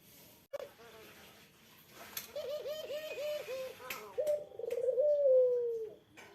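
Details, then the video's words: Puter dove provoking a rival's reply: a run of short, bouncing low notes in quick succession, followed by a trilled roll and a long gently falling coo, with faint clicks and background noise. "SUARA BURUNG PUTER INI LANGSUNG DI SAUT LAWAN"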